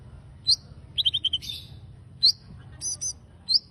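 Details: High chirping from a konin bird in active song: single sharp notes, a quick run of four descending chips, then brief buzzy double notes, separated by short pauses over a quiet background rumble.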